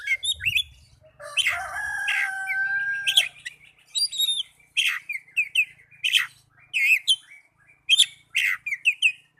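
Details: Kacer, the oriental magpie-robin, in a recording meant to coax young or silent birds into song. It begins with a sustained whistled note, then gives repeated sharp chirps and slurred whistles in short bursts, with brief gaps between them.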